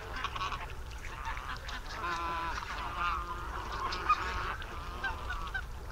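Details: A flock of over 200 barnacle geese on the Warthe floodplain near Słońsk, Poland, 11 March 2015, keeps up a dense, overlapping chorus of short, yapping, dog-like barks, with a low rumble of wind or distance beneath.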